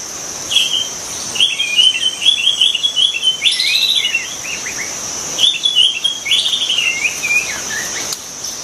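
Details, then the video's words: White-rumped shama singing in the wild: rich whistled phrases around two to four kilohertz, sliding and warbling in bursts, with a loud steady insect drone high above throughout. "kicau burung murai batu di alam liar"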